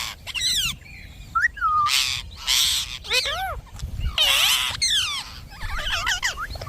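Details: Pet Indian ringneck parakeet talking, mixing short looping squawks with harsh breathy bursts and a closing run of rapid twittering notes.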